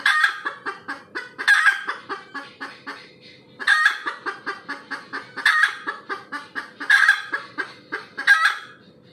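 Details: Red junglefowl after laying an egg, cackling insistently: rapid series of harsh squawks and clucks in bursts roughly every one and a half seconds, over a low hum.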